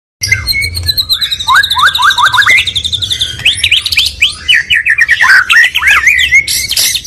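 A stone magpie sings a rich, varied run of clear whistles, quick slurred notes and buzzy trills, changing phrase every second or so, over a faint low hum.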